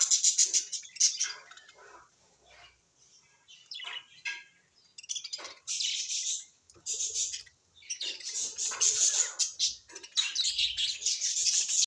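A pet parrot chatters in quick bursts of high, scratchy chirps and warbles.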